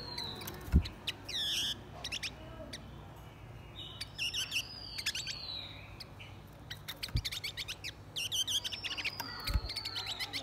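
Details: A male and female blue-winged minla giving a lure song to stir wild birds. Scattered bursts of high chirps and fluttering whistles come in clusters, mixed with sharp clicks and a few soft thumps.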